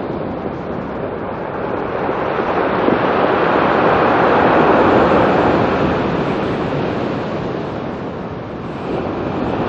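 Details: Steady roar of surf and wind across the whole stretch, loudest midway, with no animal calls.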